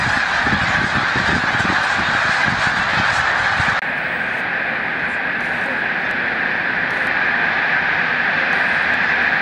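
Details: Migrating snow geese at Montezuma, New York, on 7 March 2022, as the migration nears its peak and the flock takes flight: a dense, continuous wall of high yelping honks from countless birds, with low rumbling wind or engine noise during the first few seconds.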